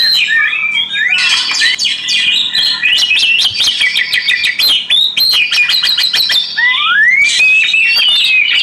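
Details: Oriental magpie-robin song set against flowing water: dense chattering and clicking notes, then a long clear whistle that climbs steadily before ending in bright warbles.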